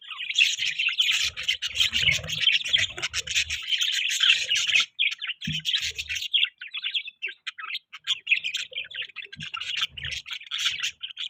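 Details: Budgie chirping and chattering steadily, loud busy warble for the first five seconds, then lighter broken chirps and clicks, with occasional low knocking sounds in the background.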